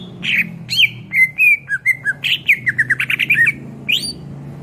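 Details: Greater green leafbird in full song, a tutor recording for other songbirds: varied whistles and squeaky notes, then a quick series of rolling, repeated chirps, ending with a high rising note.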